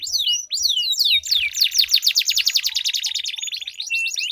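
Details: Canary duel, lure song for silent cage canaries: a few sweeping whistles break into a long, dense, very fast roll of high repeated notes lasting over two seconds.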